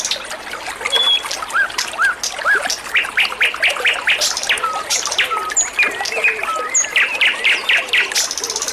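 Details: White-rumped shama singing energetically: a rapid stream of sharp chirps and short whistled slurs, some rising and some falling, delivered about twice a second over a steady trickling, water-like background.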